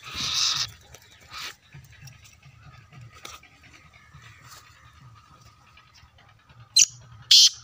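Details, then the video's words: Black francolin giving harsh, grating bursts of call notes, one near the start and a close pair at the end, separated by a long quieter stretch with low rumbling background and faint talk. "Kala Teetar ki Awaaz"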